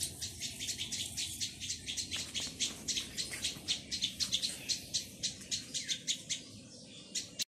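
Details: Plaintive cuckoo chick begging with an insistent train of wheezy, harsh high chirps, about four a second, rising and falling slightly in loudness before stopping abruptly.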